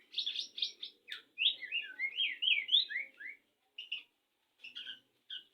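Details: White-rumped shama courting before mating: a fast run of sweet whistled and slurred notes, rising and falling in quick succession, then a pause and a few short scattered chirps.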